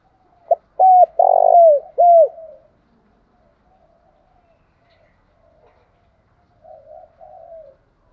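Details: A spotted dove gives its provoking coo for rival males: a brief tap-like note, a pure coo, a long vibrating coo and a descending last coo, followed after silence by soft, low warbled cooing. Nothing else audible.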